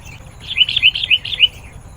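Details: Sooty-headed bulbul song meant to attract wild birds: a brief run of about seven quick, bubbly chirping notes.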